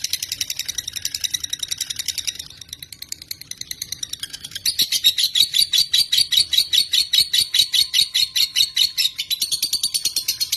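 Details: Lovebird (Agapornis) chattering with rapid, buzzy high chirps. Roughly two and a half notes come each second, softer and hoarser at first, then louder and more regular after a brief lull.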